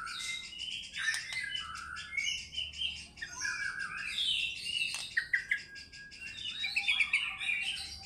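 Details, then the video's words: White-rumped shama singing fighter style and unloading its repertoire: high, busy strings of chattering and whistled notes with sharp clicks, over a faint background hiss. "MURAI BATU GACOR FIGHTER BONGKAR ISIAN"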